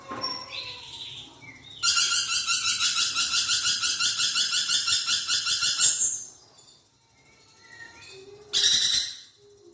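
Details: Budgerigar singing, used to tutor magpie robins: soft whistled notes give way to a four-second run of dense, grating, pulsed chatter, then quieter chirps and a short final burst.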